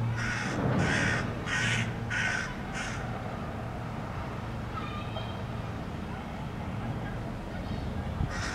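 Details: Hooded crow in a Helsinki park, Finland, May 2013, protesting loudly at a domestic cat being walked by a person: five harsh, hoarse caws in quick succession over three seconds, a pause with low background hum, then one more caw.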